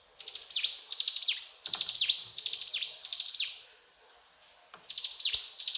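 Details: Mountain tailorbird song: clusters of piercing high chirps with descending slurs, a longer gap near the middle, then the rapid phrases resume with a few low knocks.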